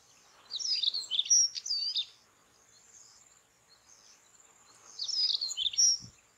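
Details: Evening song of a white-tailed stonechat from the char lands of the Padma/Ganges: two brief, busy phrases of high scratchy twitters and a sharp thin whistle, separated by about three seconds of near silence, with a constant high background hum.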